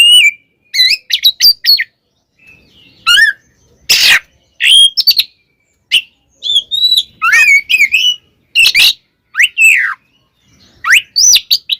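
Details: Oriental magpie-robin performing a fighting song to rile other magpie-robins: quick clusters of clear whistled notes, upward and downward slurs and one loud harsh burst, phrases separated by short silences.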